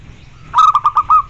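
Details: A single zebra dove phrase used to provoke replies from other zebra doves: a soft lead-in, then five short, staccato notes at an even pace, the last one drawn out, against a low rumble.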